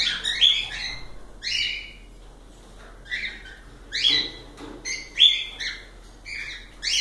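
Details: Pet cockatiels in song, giving a series of loud downslurred whistled chirps in bursts of two or three, separated by short pauses, with faint low clatter in the background.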